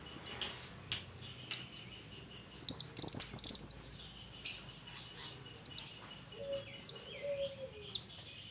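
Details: Mountain mantenan (Pied Bushchat) singing actively while calling its companions: sharp, high downslurred chirps in irregular bursts, with a brief chattering run near the middle and a soft lower whistle from another bird late on.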